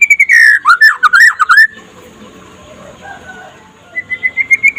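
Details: Daytime singing of a trotol-type white-rumped shama, intended to rouse other shamas: a rich tumbling phrase of swooping, looping whistles, then a quiet gap with faint background murmur, and a rising trill of evenly spaced notes.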